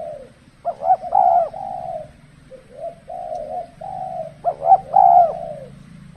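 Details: Spotted dove used for trapping in the cold season; soft low coos then louder phrases with a rising double note and sustained coo, low humming noise beneath throughout.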